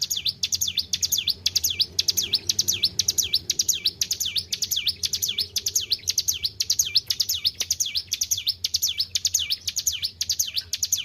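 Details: Cared-for white-browed shortwing singing continuously: high, sharp notes swooping down and back up, repeated evenly about twice a second, each with a click before it, and a soft low hum in the background.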